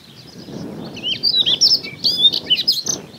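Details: Singing Siberian rubythroat, Hokkaido coastal grassland in early summer, camera recording; quick sweet high warble of slurred whistles and short trills building in loudness, with steady low wind rumble beneath.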